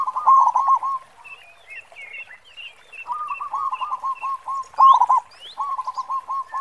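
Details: Zebra dove, local type, with a big deep 'khong' voice: a loud opening run of coos, then repeated phrases of quick stuttering coo notes, with faint twittering from other birds in the pauses.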